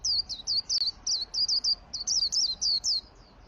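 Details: High-pitched chattering song of a white-eye, 'ngalas gacor' style, meant as a lure for training caged white-eyes: clear, curling chirps repeated quickly with a short gap midway, background otherwise still.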